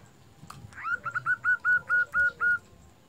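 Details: Local Indonesian zebra dove in full song, used as a lure to provoke other zebra doves into singing: a rising lead-in, then eight short, clipped, evenly spaced cooing notes at a steady mid pitch over faint background hiss.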